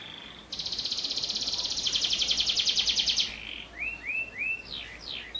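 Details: Canary in full loud song, its repertoire filled with prinia-style phrases, used as a master song for young canaries: a dense buzzy trill of about three seconds, then a row of short rising whistled sweeps and sharp downslurred notes.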